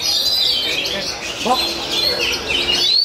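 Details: Oriental magpie-robin, a defending champion in the second round of a Saturday songbird league contest, sings a dense run of high, varied whistles and chattering notes. Other singing birds overlap, and a brief lower sliding note rises midway.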